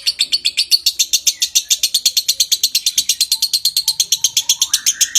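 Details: Lovebird giving a long konslet ngekek trill to spur breeding condition, rapid even series of shrill chattering notes; near the end a separate rising whistle slides upward underneath.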